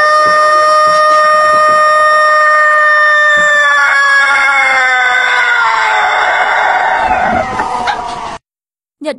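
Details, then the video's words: A Japanese rooster in a compilation of crows from many countries keeps up a single prolonged, even crow of bright harmonic tone. The crow sags slightly in pitch near the end before cutting off into silence. "Tiếng gà gáy của các nước trên thế giới"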